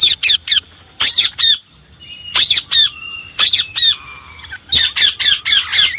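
Indian ringneck parakeet giving harsh, high squawks in quick bursts of three or four, with a few thin whistled notes between them.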